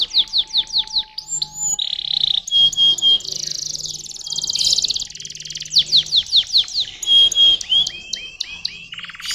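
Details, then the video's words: Canary singing, named in the German tradition as a walnut tour: rapid repeated downslurred notes, buzzy trills and rolling pulsed phrases, varied and continuous, with a faint low hum underneath. "Schöne Walnüsse .. Der Zug der jungen Walnüsse"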